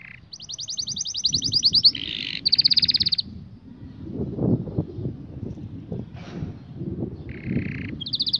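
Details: Canary singing a training song for young canaries: long, high, rapid rolled trills, buzzy tours and sustained metallic passages in several phrases, with quiet gaps and a low rumble in the background.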